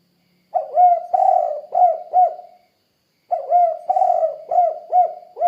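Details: Tekukur, or spotted dove, calling actively in the 'kuk 2' coo style. Two full phrases of soft hollow cooing, each a rising lead note, a drawn-out burry coo, then two short punchy notes, with a pause between phrases.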